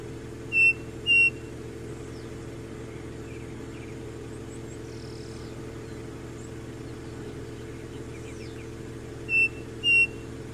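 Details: Striped cuckoo at Sumaria Trace on 9 October 2017 giving clear two-note whistles, a pair near the start and another about eight seconds later, over a steady low engine-like drone.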